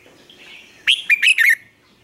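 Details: A red-whiskered bulbul kept as a training decoy gives one quick phrase of four loud, sharp, whistled notes after a faint soft warble.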